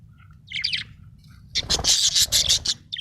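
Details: Happy budgerigar chirping: a quick warbled note, then a rapid run of bright, very high chirps repeated about three times a second over a low background hum.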